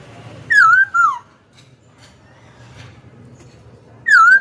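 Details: Caged Hwamei, described as singing readily: two loud, clear whistled notes that slur down and then lift. A quiet pause with faint low rumble follows before the same whistled phrase returns at the end.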